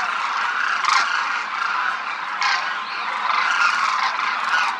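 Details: Demoiselle cranes in a big group flying in formation across the Rajasthan sky, India; many birds croon at once, making a thick unbroken wall of harsh croaks with louder bursts near the first and third seconds.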